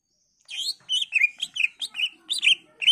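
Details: Greater green leafbird in varied song, meant to prompt other leafbirds to answer: a fast continuous string of warbled, slurred whistles and chirps rising and falling, with no break.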